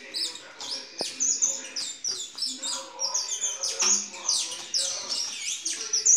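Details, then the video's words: Saffron finch of an intense yellow strain, a captive-bred bird shown at a gala in Brazil on 07/09/2019: fast run of high, bright chirps and trills, notes repeated in quick bursts, with faint voices in the background. "GALA DE CANÁRIO DA TERRA AMARELO INTENSO"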